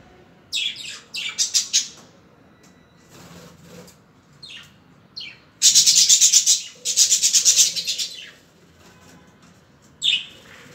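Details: Budgerigars giving quick chirp clusters, then two long, rapid, rasping buzzy trills, with a last chirp at the end.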